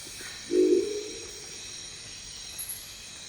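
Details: A Crested Owl in the Ecuadorian Amazon gives its typical deep croaking call, one gruff, rolling growl lasting about half a second, against a steady high hiss of insects.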